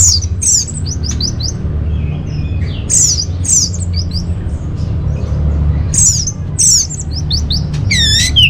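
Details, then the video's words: Orange-headed thrush song, used as a lure and master song for caged birds in Singaraja, North Bali: high, rapid whistled and trilled phrases, several sharp downslurred notes and a fast warbling rush near the end, over a steady low hum. "Bikin Geger ANIS MERAH Dirumah Pasti Gacor || Pancingan sekaligus Masteran Burung Punglor"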